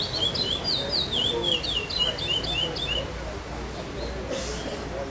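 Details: Chestnut-bellied seed finch singing in a tournament at Vinhedo, Brazil, on 5 August 2012, in the pardo class without repetition, placing fifth. It gives a run of clear, high whistled notes in quick slurred pairs for about three seconds over loud background noise.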